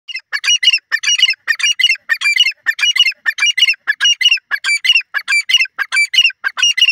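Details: Grey francolin, known locally as the gora teetar, calling in a forest in Pakistan: loud, harsh, grating notes repeated in quick clipped bursts, roughly one and a half per second, with a steady rhythm throughout and no other sounds.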